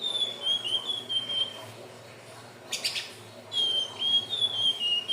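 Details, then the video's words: Hill blue flycatcher song used to lure birds: two sweet, high, whistled warbling phrases with a gentle falling wobble, separated by a short pause and a brief rustling noise. "SUARA BURUNG TLEDEKAN BIRU/SIKATAN NINON/SELENDANG BIRU"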